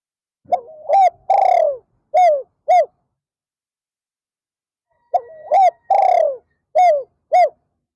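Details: Decoy spotted dove calling to attract wild doves in an afternoon session. Two full cooing phrases come about four and a half seconds apart. Each has short wavering notes, one long descending coo and two brief arched coos.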